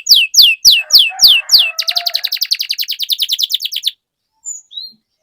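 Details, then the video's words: Vigorous canary song played to restart silent canaries: five loud downward-sweeping whistles, then an even, rapid trill lasting about two seconds, followed by two faint short notes; soft clicks in the background. "Kenari Gacor Menuntun Kenari Macet Jadi Bunyi Kembali"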